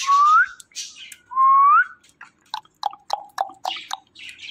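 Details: Pet green parrot, described as talkative, gives two clear rising whistles about a second apart, followed by a quick series of short chirped notes and soft clicks in a quiet room.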